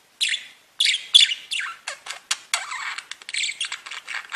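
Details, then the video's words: A budgerigar warbles in short phrases of scratchy chirps and squeaky, downward-sliding notes, the phrases following one another at an increasingly quick pace after a brief silence at the start. "Веселое пение волнистых попугайчиков / Funny singing of wavy parrots"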